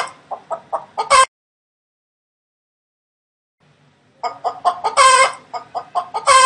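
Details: A hen cackles. Several short clucks lead into one loud squawk, then a silent pause of about three seconds, then more rapid clucks and two harsh, strident squawks close together.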